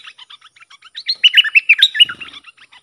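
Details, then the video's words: Bulbul song used to train young hand-fed birds and to lure aggressive wild birds, with the song styles called sap dok, boen and rik: rapid bright chirped notes run together, building to a louder warbled burst midway, then a brief low rattle. "เสียงนกดอกแตงEp.122สำหรับหัดลูกป้อน/ลูกเสอ มีครบในครบในคลิปเดียว สับดอก-เบิ้ล-ริก เพลงเพราะน่าฟัง"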